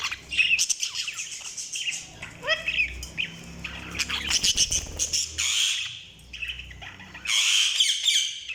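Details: Budgerigars chirping with dense, scratchy chatter, rapid squawks and brief whistled notes, joined by low rumbling background noise and a loud burst of chatter near the end.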